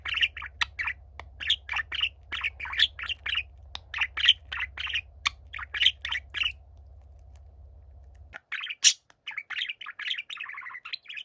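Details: A younger pet budgerigar keeps singing so it will be heard as its gentle older companion listens. Rhythmic chattering chirps repeat steadily, then after a brief break a louder, twittering warble resumes and ends in a buzzy trill.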